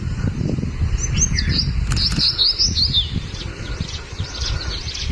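Crested bunting giving a quick run of thin, high chirps and twitters, then fainter notes, over a steady low rumble of wind.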